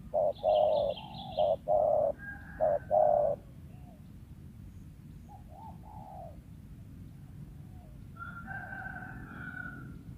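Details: Wild spotted dove, a lure bird, giving a few paired coos that stop after three seconds, with high trilled notes and later a soft whistled song from other birds.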